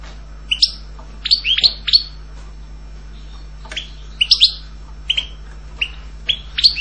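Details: European goldfinch uttering sharp, upward-sweeping chirps, singly and in quick pairs or triplets, with brief silent gaps and a steady low electrical hum in the background.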